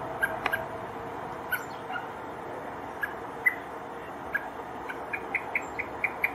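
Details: Male common blackbird searching for its fledgling in Poland, 7 July 2023, giving calls and alarm calls: sharp, short clicking notes, spaced at first, then quickening into a run of repeated ticks near the end, over a steady background hum.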